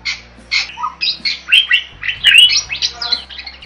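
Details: Jalak starling in lively song for bird tutoring: a tumbling mix of scratchy chatters and clear whistled slurs, notes overlapping in quick succession, with a steady low hum behind.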